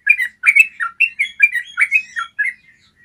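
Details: Yellow-vented bulbul singing clear, bubbly phrases from a training recording used to make kept birds trill readily. Rapid, gurgling notes tumble up and down in quick succession, then fade.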